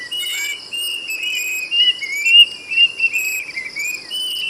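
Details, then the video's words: Plaintive cuckoo whistling a string of slurred, rising and falling notes of moderate loudness, with a steady high-pitched insect chorus throughout. "SUARA BURUNG KEDASIH ‼️ SIULANYA NYARING BANGET"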